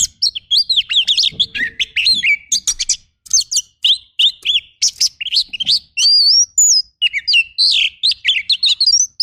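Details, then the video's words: Kacer, or oriental magpie-robin, delivering rough 'tembakan kasar' training song: dense run of high chirps, twisting whistles and buzzy chatter, nearly continuous, with a clean rising whistle near the end. "MASTERAN KACER FULL TEMBAKAN KASAR"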